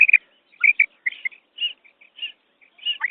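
A female quail gives short, high, chirping notes in loose, irregular bursts, a few every second, with some notes sliding downward.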